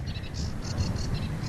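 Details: A Sedge Warbler singing from marsh reeds at Parc du Marquenterre, Baie de Somme, France, in April: a quick, scratchy, crackling chatter of short high notes, about six a second, over heavy low wind rumble.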